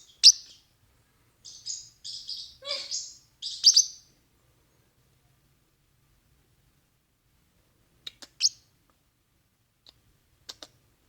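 A parrotlet gives a quick run of five or six high, scratchy chirps over four seconds, then falls quiet apart from a few faint ticks.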